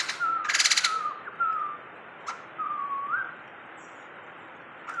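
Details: Tame caged Sumatran laughingthrush, kept for twenty years and described as very vocal: clear mid-pitched whistled notes, some level, one sliding upward, spaced about a second apart, with a short harsh rasping burst near the start.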